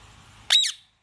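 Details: Kashmiri ringneck, a pet talking parrot: one short, harsh, high screech lasting about a quarter second; no words are heard, and the room is otherwise quiet.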